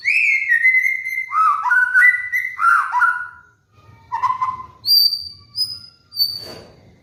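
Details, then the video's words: White-rumped shama (murai batu) master song used to train cage birds: rich whistled phrases sliding down in steps, then a low warble and short high pure whistles, with a brief rasp at the end. "PANCINGAN MURAI BATU | MASTERAN BURUNG MABUNG"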